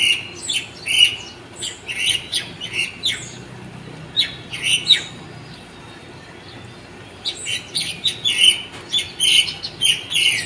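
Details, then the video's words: Birds singing at dawn: clusters of sharp, high tweets roughly once a second, a quiet gap in the middle, then a renewed run of rapid chirping. "Birds song that wake you up in the morning"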